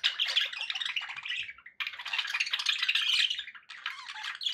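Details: Budgerigars kept as pets giving continuous, rasping warble, a busy mix of chirps, clicks and buzzy notes in long unbroken runs separated by two short breaks.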